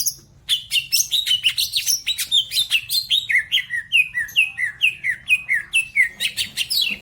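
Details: Majalengka, West Java: a greater green leafbird delivers a lively, fast song of downward-slurred whistles and chips, about two notes per second, steady for nearly seven seconds, loud and clean against a quiet background.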